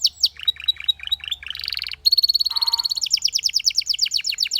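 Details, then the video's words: Belgian canary singing, said to draw other canaries into song: varied short whistles and a buzzy phrase, then a long steady whistled tone under a fast, repeated high trill. "The sound of This Belgian Canary Attracted Many Canaries to Sing"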